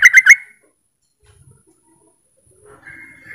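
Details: Yellow-vented bulbul giving a lure call meant to draw rival bulbuls into calling: a fast burst of three sharp chirps, then near silence and a faint returning tone.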